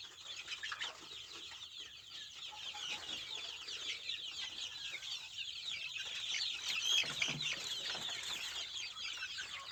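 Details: Shrill, crowded peeping from a group of native village chickens, the kampung and joper kind, a rapid jumble of thin chirps that builds a little in loudness toward the later part.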